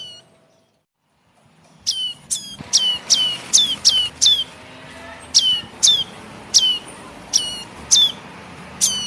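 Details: Nestling ashy tailorbird calls used as a bird-catching lure: after a short silence, a quick run of sharp, high, piercing chirps, each slurring downward, follows in irregular bursts of two to four.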